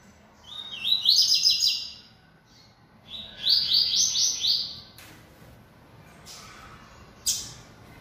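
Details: Yellow-bellied seedeater, a bold kept bird singing much, gives two quick buzzy phrases of fast repeated high notes, each about a second long, followed by sharp clicks and a brief high burst.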